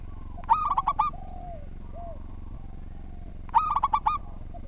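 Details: Local zebra dove singing its steady, patterned song. Two phrases of rapid, bubbling coos come three seconds apart. Faint soft whistled notes sound in between, and a continuous low hum runs throughout.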